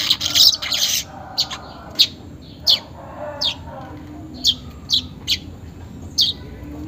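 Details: Weaver sound for prompting caged birds to sing, unedited: a loud buzzy burst followed by spaced, short high chirps roughly every half second to second against quiet background.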